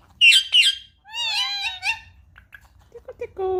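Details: Indian ringneck parakeet kept as a pet indoors, prompted to speak: two loud harsh squawks, then a wavering harmonic chatter phrase, followed by faint scattered notes and a low sustained tone.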